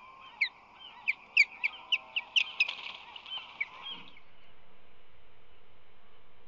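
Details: Nesting ospreys on San Francisco Bay, March 2020, the male arriving with fish; a rapid run of about ten sharp chirps ending in a blurred cluster, followed by steady low noise.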